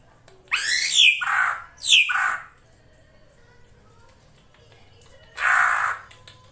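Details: Indonesian lure recording of a female drongo calling to entice a male: two quick harsh descending squawks back to back, a long pause, then one broad rasping burst.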